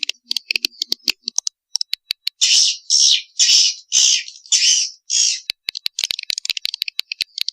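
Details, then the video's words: Swiftlets' mating call for attracting the birds: sparse sharp clicks, then five or six loud, evenly spaced buzzy rasps, ending in quick ticking chatter. "KOMBINASI SUARA PANGGIL WALET"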